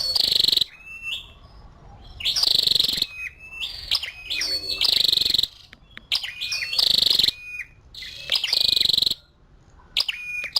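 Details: A female scarlet-backed flowerpecker gives loud, piercing, high buzzy trills, about five bursts, each under a second, interspersed with quieter, slurred lower notes and brief silences.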